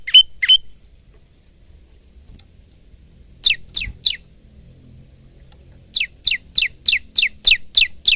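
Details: Singing male bar-winged prinia: two opening chirps, a pause, three sharp falling notes, then a brisk run of seven high downslurred chips. Phone recording with quiet background hum.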